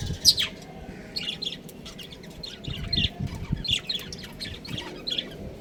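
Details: A breeding pair of pet budgerigars kept at home, chirping: short, bright, scratchy chirps in quick bursts, with low thumping and handling noise underneath.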